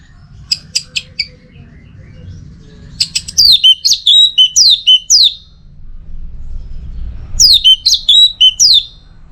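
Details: Masteran and lure of anis merah, the orange-headed thrush, in teler style: a few soft high chips, then two long bursts of rapid, sharply descending whistles repeated about eight times each.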